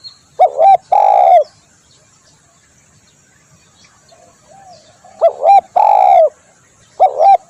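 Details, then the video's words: Spotted dove cooing loudly to lure birds: repeated phrases of a paired short hooked note plus a long sustained coo, separated by quiet gaps with soft distant coos, a new phrase starting at the end. "SUARA tekukur di jamin ampuh cocok buat pikat/masteran"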